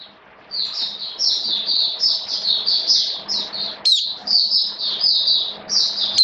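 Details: Continuous high, thin warbling of a caged Oriental white-eye in wet rainy weather, a steady stream of slurred notes over a low electrical hum.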